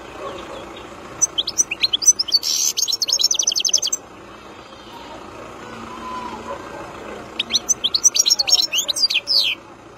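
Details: Wild European goldfinch repeating rapid twittering phrases with a buzzy trill in the middle, pausing about three seconds before a second bright, fast phrase.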